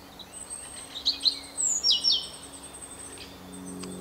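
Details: European robin singing: thin, high-pitched phrases with quick rising and falling whistled notes and sharp descending slurs, then a pause, over a steady high electronic whine and low background hum.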